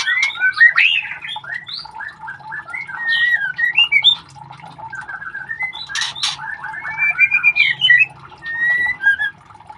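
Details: Young white-rumped shamas handled while being ringed, a busy jumble of squeaky whistled chirps and rough squawks, with a few sharp clicks in the middle.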